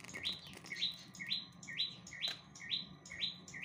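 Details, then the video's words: Bar-winged prinia singing energetically: a run of about seven sharp, rising upslurred notes, one roughly every half second, each ending in a brief high flick, over a faint steady background hum. "Prenjak gacor dor"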